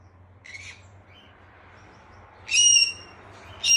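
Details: Parrot playing and chirping: a faint short note, then a long pause, then a loud harsh chirp with clear overtones, and another call starting at the very end.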